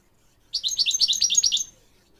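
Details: Tutoring song of a goldfinch for training goldfinch mules and a canary: after a short silence, a fast, even series of about eight clipped, buzzy two-part notes over a bit more than one second.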